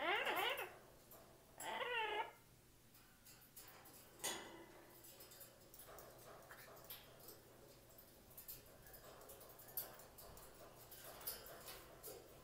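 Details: Yellow-crowned amazon kept as a pet during hot summer weather, opening with two loud, rising, wavering squawks in quick succession, followed by faint clicks, taps and indoor rustling under a low constant hum.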